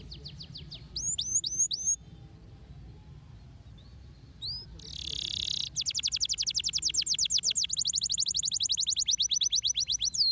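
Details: Canary singing, a recording meant to stimulate canaries into song: a few separated rising whistles, a short buzzy burst, then a long rapid high trill of evenly repeated notes continuing to the end.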